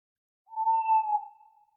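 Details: A single sustained owl hoot at night, even and tonal at mid pitch, lasting nearly a second and fading out, against complete quiet.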